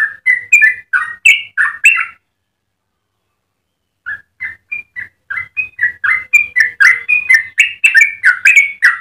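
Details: ['Yellow-vented bulbul singing a long melodious run meant to train and provoke other bulbuls: rich gurgling whistles for two seconds, a two-second silence, then softer notes building into fast, loud warbling.']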